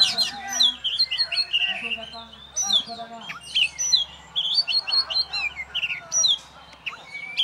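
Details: Caged champion oriental magpie-robin, hung up on its own without master birds, sings a dense, varied run of whistled and chattering phrases that swoop up and down, with short gaps between bursts and faint low voices underneath.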